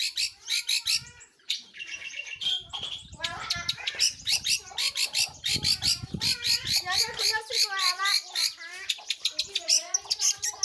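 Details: Long-tailed shrike, locally called pentet or cendet, singing actively: a fast, varied run of high chirps, trills and short whistled notes, densely packed and repeated in quick bursts, with some lower rattling notes mixed in.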